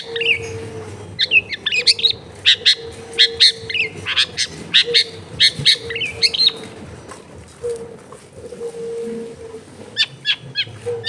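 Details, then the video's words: Long-tailed shrike song played to prompt idle shrikes to sing, recorded at home in a busy neighbourhood: harsh chattering bursts and scratchy notes in quick runs with pauses, over a continuous low hum. "SUARA BURUNG CENDET GACOR PANCINGAN CENDET MALES BUNYI"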